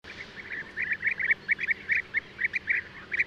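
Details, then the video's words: European bee-eater (Merops apiaster) giving a rapid series of short, rolling, mid-pitched notes, bunched in irregular clusters that grow louder toward the end of the passage. "O canto do abelharuco-comum/abelharuco-europeu (Merops apiaster)"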